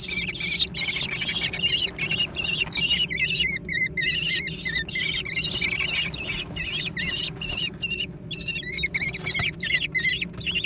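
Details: Lively food fight among young American kestrels, with the eldest finally grabbing the prey. Dense, overlapping, harsh high squeals repeat quickly for about ten seconds, then come in shorter bursts.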